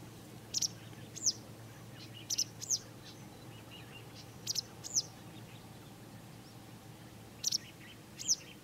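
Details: A Citrine wagtail in Israel gives short, sharp, high calls, mostly in pairs, every two to three seconds, over a steady low background hum.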